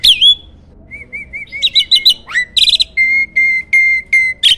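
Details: Champion starling master recording for contest songbirds: a high slurred note, a string of soft wavering whistles, buzzy chatters, then four level whistled notes about half a second apart.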